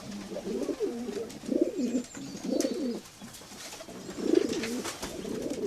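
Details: Low, burbling pigeon coos come in separate rounded bursts roughly every second, each wavering and throaty, over a soft background hiss with faint high clicks.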